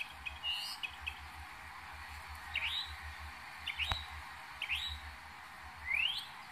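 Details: Northern mockingbird recorded in New Jersey in May 2021, singing and imitating other birds and sounds: sparse, clear whistled phrases and quick rising slurs spaced a second or two apart, over a steady low hum.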